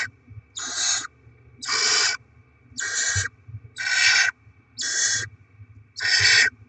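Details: Barn owl pair at the nest delivering rodents and feeding their young, 7 February 2024: six harsh, broadband hissing screeches, each about half a second, coming roughly once a second over a low background rumble and a faint steady tone.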